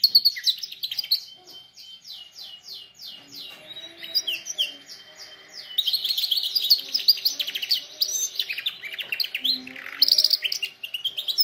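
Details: Canary singing, meant for training canaries, beginning with evenly spaced descending notes repeated rapidly, then shifting into dense buzzy trills and rolling warbles, with faint soft lower tones beneath.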